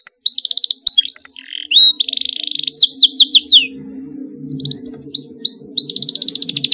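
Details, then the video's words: Canary in an emotional, tightly rolled song meant to spur other canaries into answering: falling whistled slurs, a buzzy trill, a string of separate downslurred notes, then quick rising notes and a rattling roll over a low constant hum. "KENARI GACOR EMOSI NGEROLL RAPAT, DIJAMIN KENARI LAIN AKAN NYAUT IKUT GACOR"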